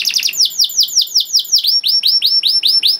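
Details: Canary song meant as a tutor for young birds, with quick repeated downward-sweeping whistles that slow into a measured series of bright curved notes.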